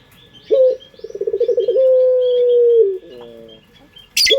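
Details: Puter pelung dove from Indonesia used as a lure: a short low note, then a fast throbbing roll that settles into a long, steady coo, followed by a layered fading tail; small birds chirp high behind.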